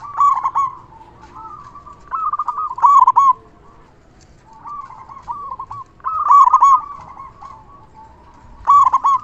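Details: Local zebra dove song used to draw responses from other doves and raise their breeding urge; bursts of quick, trilled coos separated by short pauses, the loudest phrases near three, six and nine seconds.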